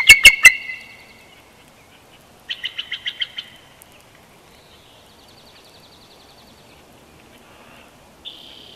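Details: Wild bald eagle on a Big Bear Valley nest camera, 12 June 2021, chortling: a few loud sharp piping notes, then a quicker run of six high staccato notes, and fainter chattering afterward.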